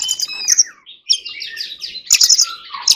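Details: Forest-voice song from an Oriental magpie-robin in song training: dense, overlapping high chirps and whistles with a loud burst of sharp notes near the end and a short falling whistle, almost continuous.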